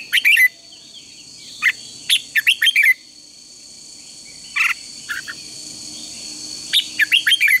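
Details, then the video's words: Red-whiskered bulbul singing at dawn for singing-contest training; groups of sharp whistled notes at the start, middle and end, separated by quieter stretches with a persistent high hum. "Luyện chào mào hót sáng | chào mào hót đấu"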